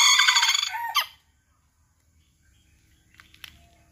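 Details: Serama chicken: the end of a loud raspy crow cuts off abruptly, followed by near silence and faint distant chirps.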